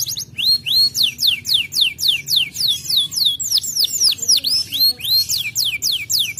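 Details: Canary song used to prompt other canaries to respond and sing, made of loud, high, upward-sweeping notes repeated several times per second with quick twittering between them.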